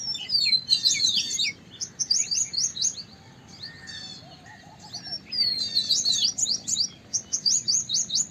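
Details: Large pied or white-browed wagtail giving bursts of high, quick twittering chirps with swooping notes, separated by short pauses, over a low background murmur and faint lower whistles midway.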